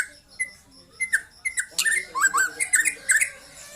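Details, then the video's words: Trotol-style song of a young white-rumped shama: scattered single whistled notes at first, then a dense, rapid string of short downslurred chirps that quickens toward the end. "KICAU BURUNG MURAI MUDA LEPAS TROTOL"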